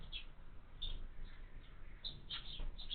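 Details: Faint, brief high chirps from house sparrow chicks in a window-mounted feeder sound every fraction of a second over a noisy low background.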